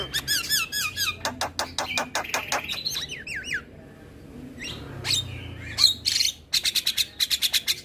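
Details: Javan myna singing in the morning, opening with a run of looping whistled notes, then harsh rasping chatter, a brief lull, and a fast series of sharp clicking notes.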